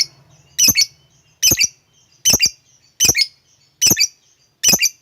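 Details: Lovebird, used as a lure to get a quiet lovebird singing, giving sharp high squeaky double chirps repeated at a steady rhythm, roughly every 0.8 seconds, with a faint low hum between them.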